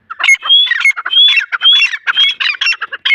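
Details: Dakni teetar (grey francolin) with chicks: a dense, continuous run of scratchy squawks and short rising whistled notes, tumbling over each other without pause.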